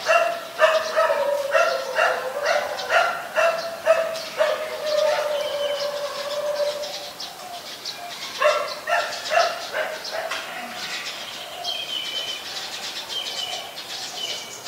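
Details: Adult zebra dove in Ubon Ratchathani, Thailand, recorded 24 February 2022: a long series of soft, rapid, evenly pulsed cooing notes, gradually slowing and fading, then resuming; thin high chirps of other birds join near the end.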